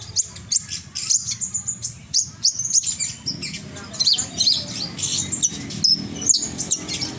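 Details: Lively Horsfield's bushlark song: a dense, nearly continuous stream of high chirps, trills and whistled slides, quick and varied, with a soft low background hum.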